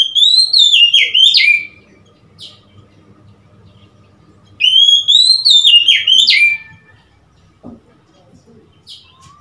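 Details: Oriental magpie-robin (Copsychus saularis) song recorded 3 March 2021: two loud phrases of clear, varied whistles, each about two seconds long and sliding up and down, with faint background hum between them.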